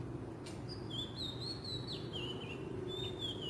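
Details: Oriental magpie-robin singing in the wild: a smooth sequence of clear whistles, stepping between pitches with a downward slur in the middle, after a brief tap, above low background rumble.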